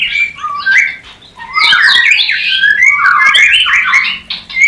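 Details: White-rumped shama singing a mating call for new pairs: a few soft whistles, then a tangled, rapid burst of sweeping, overlapping notes and chatter.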